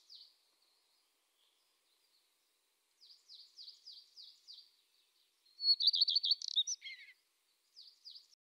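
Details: Eurasian tree sparrow calling: a brief chirp, then a run of short, high, rapidly repeated chirps, a louder dense burst of twittering notes, and two final chirps against a quiet background.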